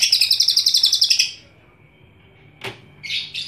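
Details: Loud, shrill cucak ijo song, very actively sung: a rapid run of high bright chirps for just over a second, then near silence, a sharp click and two short high bursts.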